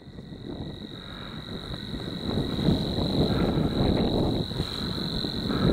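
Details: Savi's warbler (Locustella luscinioides), a shy bird, sings its long, even, insect-like reel, a fast buzzing trill held at one pitch without a break, over heavy low wind rumble.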